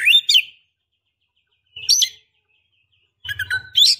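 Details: Female Oriental magpie-robin (kacer) calling a male, which it does to provoke, rouse or invite mating. Three short bursts of bright chirping whistles, about a second and a half apart, with a faint low thump under the later ones.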